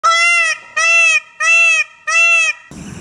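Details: A peacock (Indian peafowl) in India, filmed during a dance display with feathers spread, gives four loud, nasal, wailing calls in quick succession, each about half a second long.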